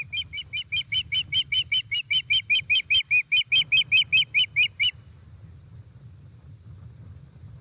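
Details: Osprey calling at an Estonian nest on 1 September 2019 in late afternoon as a fish arrives. A fast, even run of about twenty shrill, harmonic chirps lasts five seconds, then stops, leaving a steady low background rumble.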